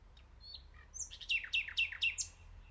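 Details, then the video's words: Nightingale song phrase opening with a soft whistled note, then a series of loud, fast, crisp repeated notes sweeping downward, finishing with a higher bright note; steady low hum behind. "NIGHTINGALE sounds. So PEACEFUL"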